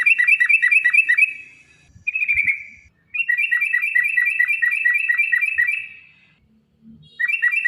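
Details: Yellow-vented bulbul long ropel song, played to provoke caged birds: rapid strings of crisp whistled notes broken by one drawn-out whistle and short silences, the fast series returning at the end.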